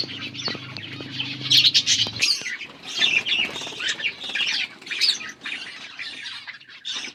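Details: Eating budgies call in a lively jumble of harsh chirps and chattering trills; a low hum stops after two seconds and light rustling continues beneath the birds.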